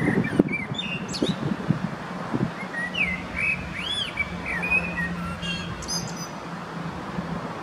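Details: Male common blackbird, one of a species with many song patterns, singing in Zurich canton, Switzerland, on 21 February 2017: arched mellow fluted notes and warbles, then high squeaky twitters, over a low steady hum.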